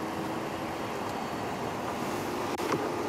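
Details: A steady vehicle engine rumble and broadband road noise fill the clip, with no animal calls standing out.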